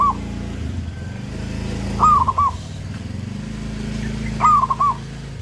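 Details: Local zebra dove singing vigorously, meant as a master recording for training other doves: soft rolling coo phrases recur every couple of seconds beneath a loud, steady engine rumble of passing vehicles.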